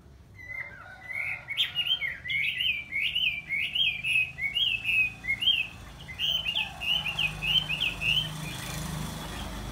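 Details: Red-whiskered bulbul singing a run of short, quick warbled phrases that rise and fall, repeated for about seven seconds before fading, over steady background hiss and low rumble.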